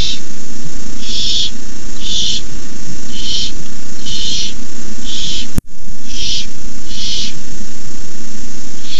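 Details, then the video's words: Barn owl owlets at the nest on a night camera at 9:57 pm on 18 May 2015 as an adult brings a rabbit; harsh breathy hisses about half a second long, repeated roughly every second, over a steady low hum. "Owlets hiss."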